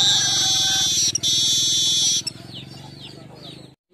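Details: Master and lure song of a weaver for training birds: a loud continuous sizzling buzz for two seconds, then a few faint downslurred chirps, over a low musical backing.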